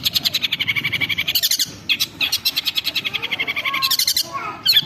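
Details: Caged long-tailed shrike used as a lure to provoke aggressive singing: dense, harsh rapid chattering with buzzy repeated notes and high squeaky bursts, continuous through the clip.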